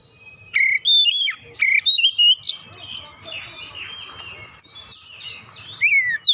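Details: Magpie-robin lure song: sharp, clear whistled notes in quick succession, a middle section of quieter scratchy warbling, then loud up-and-down swooping whistles at the end.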